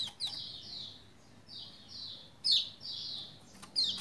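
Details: Lombok white-eye singing to prompt other white-eyes to answer; thin high slurred phrases with sharp bright accents near the start, middle and end, somewhat quieter with a steady low background hiss.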